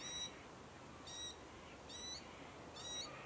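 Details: South-eastern Glossy Black-Cockatoos (Calyptorhynchus lathami lathami) in a favoured foraging zone on the Kings Tableland, Blue Mountains, NSW, Australia, 2022: four short, bright, harmonic calls repeated roughly once a second over quiet background hiss.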